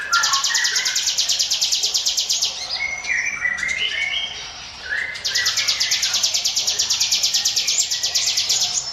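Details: Ciblek gunung prinia singing "ngiwit wit" as a lure for other birds: long, very rapid high buzzy trills at start and end, with mid-pitched whistled notes and chirps between them.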